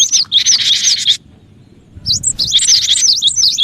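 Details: Lure recording of an active cinereous tit meant to draw in other birds: a dense buzzy churr laced with sliding whistles, a short silence, then more rapid twisting whistled notes.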